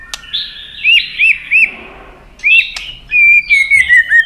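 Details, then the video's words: White-rumped shama giving fighting song, tail-flicking with clicks to provoke a rival: short clear upslurred whistles, two sharp dry clicks, then a longer wavering whistled phrase near the end. "chòe Lửa đập đuôi tạch kích căng, kích Chòe Lửa hót đấu căng lửa.chòe Lửa hót giọng dài"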